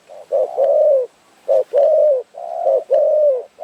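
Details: At a trapping site in Phrae, northern Thailand, a Spotted Dove coos as trappers wait: paired soft low notes, a short coo followed by a longer one, repeated about once a second.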